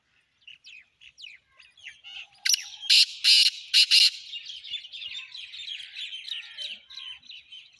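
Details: Black francolin giving a run of loud, harsh, scratchy notes grouped in quick bursts, set among continuous thin chirps and twitters from other small birds.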